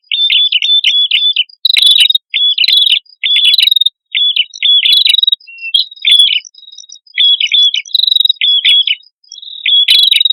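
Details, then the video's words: Male and female red-headed prinia singing vigorously, recorded as a lure for birds: short high chirpy phrases with trilled notes, repeated in bursts of about half a second separated by brief gaps. "Suara Prenjak Kepala Merah Jantan Dan Prenjak Kepala Merah Betina Gacor"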